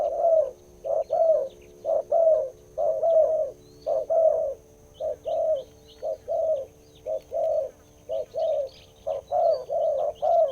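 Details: Spotted dove, a wild bird praised for its big voice and followed for almost two years, repeating low, mellow coos roughly once per second in an even series, faint small-bird chirps in the background.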